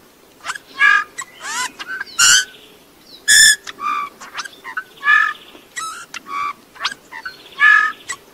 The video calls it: chant de bouvreuils - song Pyrrhula - طائر الدغناش